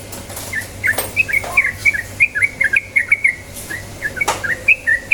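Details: Yellow-vented bulbul song used as a lure to get kept birds singing in rapid rolling style: a lively, bubbly run of short liquid whistled notes, rising and falling, packed closely for several seconds over a low steady hum.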